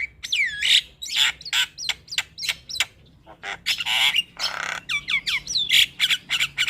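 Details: Lure song of a Javan myna, used to coax stressed, silent birds into singing: repeated downslurred whistled notes alternating with loud harsh squawks.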